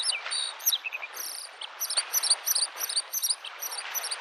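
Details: Bluethroat singing in spring by a lake: a busy run of high buzzy and whistled phrases, rapid repeated chirps and rasping trills with varied notes, over a soft wash of lapping waves.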